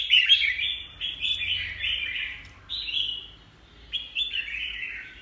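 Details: Red-whiskered bulbul, caged, with blood-red feet and one faint spot on the shoulder, sings repeated warbled phrases of downslurred whistles separated by brief pauses.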